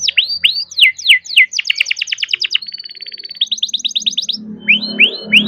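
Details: Young farm-bred canary singing continuously in rolling song, used to prompt reluctant canaries to sing: repeated downward-sweeping whistles, then rapid buzzy trills, a steady high rolling trill, and more falling sweeps, with a low hum underneath near the end.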